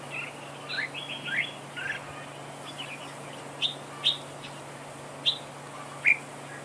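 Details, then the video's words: Red-whiskered bulbul in a trap duel as a decoy bird: a burst of warbled whistled phrases at the start, then isolated sharp rising notes about once a second, over a constant low electrical hum. "Bẫy đấu chào mào cực đẹp, hót cực hay"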